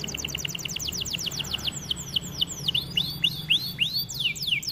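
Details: Lively white canary song: a rapid sequence of falling whistled notes slowing down, followed by rising and swooping whistles in quick succession.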